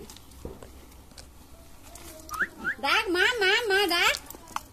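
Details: Common myna, known locally as shalik pakhi, talking: faint whistles, then short rising whistled notes, then a loud wavering, voice-like phrase of about a second with rich overtones, over low room noise.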